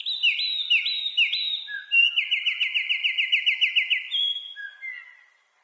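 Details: High, energetic wren song opening with repeated upslurred notes, breaking into a long even trill of about a dozen quick chirps, then two short whistled notes fading out; no other sounds present.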